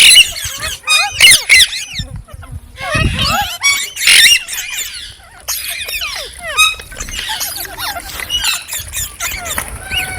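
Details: Several green parrots give bursts of high, squeaky chirps and short rising and falling whistles. Brief quiet gaps separate the louder clusters.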